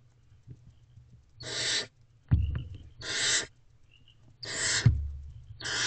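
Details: Barn owl female and owlets in an owl box, feeding at night on 23 April 2023: four harsh hissing bursts, each broken by dull thuds of movement, with a steady low hum underneath.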